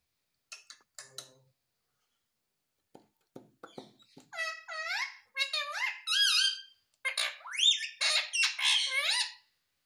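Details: Indian ringneck parakeet kept as a pet indoors in India, vocalising in a run of harmonic, rising and falling squeaky notes that grow louder and denser in the second half, after a few faint clicks and soft squeaks.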